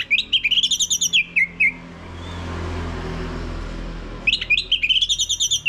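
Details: Male-prompting lure song of an orange-headed thrush, ngeplong style: a rich, rapid warbling of overlapping whistles for over a second. A humming lull follows, then the same dense warble resumes.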